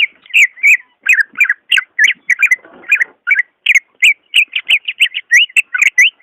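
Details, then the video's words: Lively greater green leafbird song, used to coax leafbirds slow to sing: a dense stream of short, varied whistled and slurred notes, some doubled, with a brief scratchy sound midway. "SUARA ASLI BURUNG CUCAK IJO II cocok buat pancingan ijo malas bunyi"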